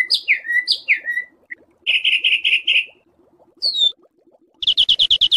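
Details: Songbird training recording of rough, harsh song variations used to tutor pet and contest birds: loud descending whistled slurs, a run of five buzzy notes, then a fast rattling series of repeated chips, over faint background ticking.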